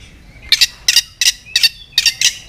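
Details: White-rumped shama lure recording with sharp fill-in sounds: harsh, raspy double notes repeated about every half second, five rough bursts over a faint background whistle.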